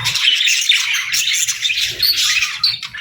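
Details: Pet budgerigar flock in continuous high, scratchy twittering with sharp squawky notes mixed in, steady and unbroken, plus soft low bumps in the background.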